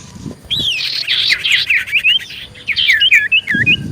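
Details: Common iora's lively song meant to draw replies: a rapid string of bouncing whistled slurs and short buzzy notes, closing with a few clear upswept whistles.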